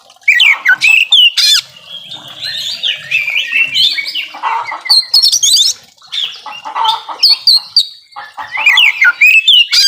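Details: Oriental magpie-robin in full varied song, kept to coax reluctant birds into singing; rapid mix of sharp whistles, buzzy chatter and trilled phrases in loud bursts.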